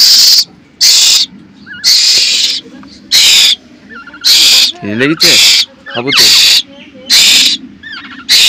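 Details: Hand-fed baby black koel, very hungry, screams for its meal: a steady run of harsh hissing shrieks about one per second, with a man's Bengali speech and a brief clatter in the middle.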